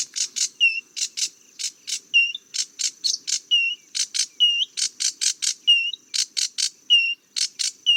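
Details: A sedge warbler (Acrocephalus schoenobaenus) sings a fast, restless run of harsh, buzzy chattering notes, broken by short, clear whistles that slide in pitch; nothing else is heard.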